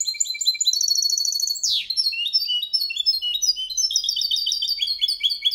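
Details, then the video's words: Malaga-style song of a goldfinch-canary mule, sung clean for training other birds; continuous high rapid trills and chirping notes with one quick descending buzz near the start. "Mixto jilguero cantando copia malaga _ Hybrid of goldfinch singing for training songs"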